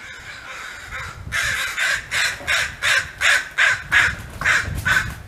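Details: Crows fighting over a large plate of food and defending territory, giving a long run of about nine harsh, hoarse caws repeated roughly every third of a second, over a low outdoor rumble.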